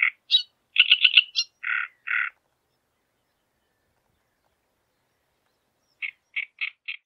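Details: A displaying great reed warbler sings loud, harsh, croaking notes in quick repeated groups, then goes quiet before four more grating notes. No other sounds are heard.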